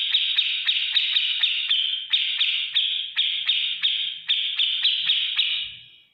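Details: Cage-bird training song of a grey-cheeked bulbul in ngetik ngipik style: sharp ticks repeated about three times a second over a steady buzzy high tone, fading away at the end.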